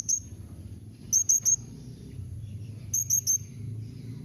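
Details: Blue-crowned hanging parrot call used to make other hanging parrots answer: very high, thin, sharp chirps in two quick bursts of three, with a low steady hum underneath.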